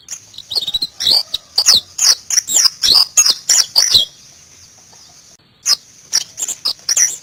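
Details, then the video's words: White-eye (Zosterops) singing in the wild: rapid rhythmic high chirps, several per second, then a pause and a few more twittering notes. "BURUNG PLECI NGALAS"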